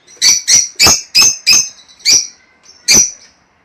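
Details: Lovebirds, sounds played to encourage breeding: a series of about seven loud, harsh, shrill squeaks at an uneven pace, roughly three per second at first.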